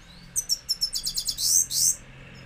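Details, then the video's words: Himalayan goldfinch kept in a cage, singing a high twittering phrase of quick separate chirps that run into two longer buzzy, rasping notes, over a faint low hum. "Mast gold finch singing sounds | Himalayan Gold Finch in cage Top songs sounds"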